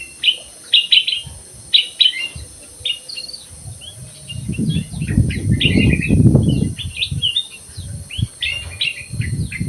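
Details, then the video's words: Lively black-crested bulbul in an aviary, delivering quick clusters of sharp chirped notes repeated in rapid series, partly overlaid midway by a low rumbling background noise. "KUTILANG EMAS GACOR"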